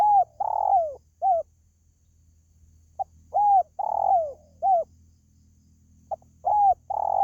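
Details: Spotted dove giving its calling sound, recorded for luring pet birds: repeated phrases of short and drawn-out hollow coos that slide down at their ends. The phrases come in three bursts separated by pauses, over a faint low hum.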